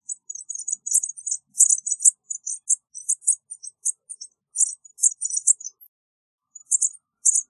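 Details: American bushtit giving a busy stream of very high, thin chips and twitters, short notes crowded together with a brief pause near the end.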